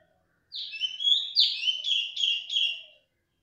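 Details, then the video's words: Female cungkok calling loudly and without pause: a short falling chirp, then a burst of buzzy, high chirps run into four quick, evenly spaced notes over about two and a half seconds, with no other sounds. "cungkok wedok suarane buanter ra gelem meneng"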